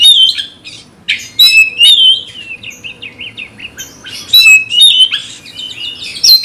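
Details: Agitated kacer (magpie-robin) provoked by a fighting rival, singing high, bright whistled phrases with wavering slurs and scratchy notes, a quiet gap near one second, then strong bursts of varied, rapidly changing notes.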